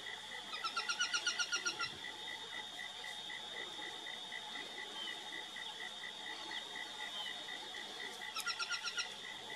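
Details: Two bursts of fast harsh chattering from an Aplomado falcon, a longer run near the start and a short one near the end, separated by steady pulsing insect-like drone and a constant high tone.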